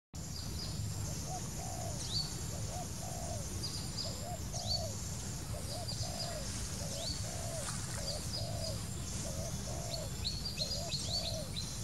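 Soft, low dove coos repeat steadily, about one per second. Higher chirps from other small birds sound above, over a low rumbling background.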